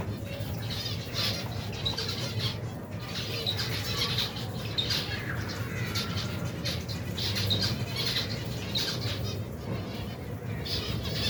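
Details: Finch colony of over 120 pairs with young, feeding as part of their daily routine in cold weather; dense, continuous high chattering and squeaky chirps from many birds, with flapping wings and a constant low-pitched drone.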